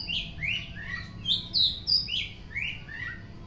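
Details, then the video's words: In the afternoon, an Oriental magpie-robin gives a short lively passage of loud, pure whistles, some sharply rising, others dipping, delivered about three per second over a soft low hum. "Kacer Gacor On Play di sore hari"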